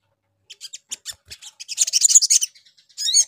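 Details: {'caption': 'High, thin crimson sunbird notes used as a lure for other birds: spaced ticking chirps building into a loud, rapid buzzy twitter, ending with a short slurred phrase.'}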